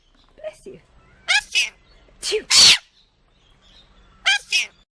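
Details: Pet parrot mimicking a sneeze and saying "bless you" in a conversation with a person; short squeaky voice-like phrases around a loud harsh sneeze, a person replying "achoo" and "thank you" in a quiet room.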